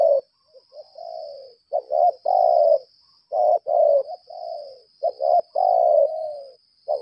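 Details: Captive decoy spotted dove of the lambung kuk type, calling in the contest style known as laga. Clipped, hoarse coos come in uneven bursts of two or three notes with short pauses. A steady high thin whine runs underneath throughout.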